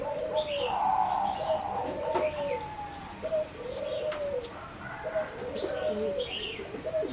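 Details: Caged zebra dove bred for competition singing in a flight cage on 30 April 2014. Continuous rolling coos form a melodious, warbling phrase with brief dips, and scattered higher chirps from other birds sound in the background.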